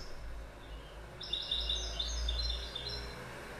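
A goldfinch gives a quick, tinkling twitter of high, thin notes that starts after a moment of quiet, over a steady low rumble of background noise.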